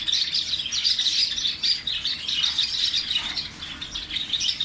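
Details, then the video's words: Parrots chattering in a dense, continuous stream of high, overlapping chirps and twitters, like a busy flock calling together with no pause. "طوطے کی اواز"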